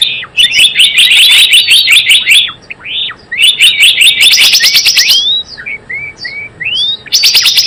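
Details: Java sparrow calls used as a trapping lure: long trains of quick high chips, arched rising whistles between the bursts, and a quieter stretch of thin upslurred notes before the chipping returns.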